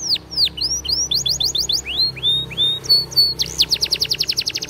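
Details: Belgian canary song for training, a rapid sequence of high sweeping whistles and looping notes, shifting into quick trilled runs and ending in a dense, fast repeated rattle.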